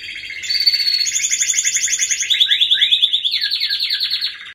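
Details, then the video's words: Loud, clear canary song of fast rolling trills, passing from a high bright trill into lower swooping phrases, with no other sounds. "Canary singing"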